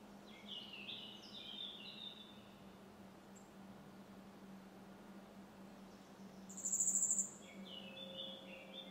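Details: Grey wagtail recorded 27 June 2023 at Močilnik, Vrhnika, giving short, sharp, high metallic call notes with one louder piercing burst near the end, over the steady rush of running water and a low hum.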